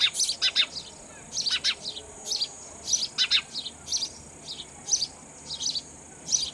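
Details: Young sparrows being fed insects by an adult: rapid clusters of thin, high chirps, often two or three in quick succession, repeating throughout, over a steady high-pitched background hiss.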